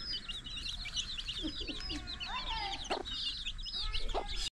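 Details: Chicks eating alongside their mother hen; constant shrill, rapid peeps overlap, while the hen adds scattered low clucks and a couple of sharper notes midway and near the close.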